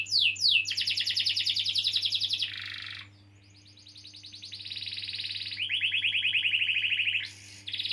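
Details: Canary in long rolling song meant to encourage young or non-singing canaries; quick buzzy trills alternate between pitches, dropping to a quiet gap near three seconds before resuming with lower rolling tours, low hum throughout.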